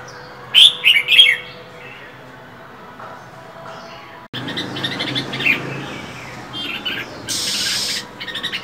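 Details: A female Oriental magpie-robin in winter gives three sharp, high chirps close together. After a quiet gap, softer calls and a hard, drawn-out hiss follow. She is calling to urge males to sing.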